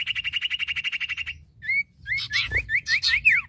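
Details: Male and female iora singing: a fast even trill of about a dozen pulses, a pause, then a quick run of sharp rising whistles with scratchy bursts.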